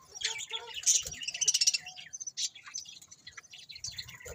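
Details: Budgerigars warble continuously in rapid, scratchy high chirps and twittering, busiest in the first two seconds, then thinner chatter with faint background noise.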